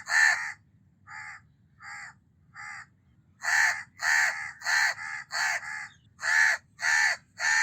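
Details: Series of hoarse, nasal caws from a house crow: three quieter, spaced caws, then a loud, fast run of rasping caws about twice a second, with light low background noise.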